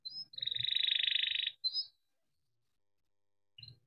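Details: Domestic canary singing a long rolling song meant to spur other canaries into song: a brief upslurred whistle, a fast even trill lasting over a second, another short whistle, silence, then a quick closing note.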